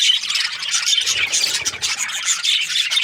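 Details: Happy budgerigar chirping: dense, continuous high chatter of scratchy warbles and squeaks, with a brief low rumble midway.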